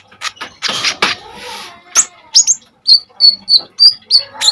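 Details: Common iora in lively song for tutoring other birds. A few harsh, noisy bursts open, then a string of clear, evenly spaced whistled notes repeated about twice a second.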